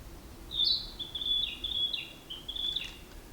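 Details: Singing male Narcissus flycatcher, recorded 10 May 2026, known to mimic a Chinese bamboo partridge at the start of its song; a run of about six high, clear whistled notes, flat to slightly falling, delivered steadily over quiet background noise.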